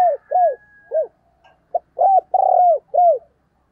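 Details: Decoy spotted dove calling to lure wild doves: a string of arched, hollow coos, with two short notes, a brief clipped note, then a long drawn-out coo and a final falling one, in a quiet setting.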